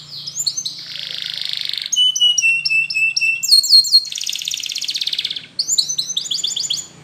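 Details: Spanish Timbrado canary training song: a dense buzzy roll, then a run of repeated metallic notes over a steady whistled line, a sharp chirping phrase, another long buzzy roll and fast rising chips at the end.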